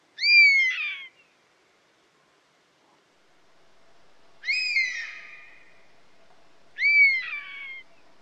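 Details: European honey buzzard repeating a short, mournful whistled call three times, each note rising abruptly and then falling away, with gaps of several seconds and faint background hiss between calls.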